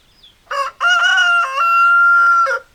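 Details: Rooster crowing: a short opening note, then a loud, drawn-out, harmonically rich cry that holds steady for nearly two seconds before a brief falling end, with a quiet background.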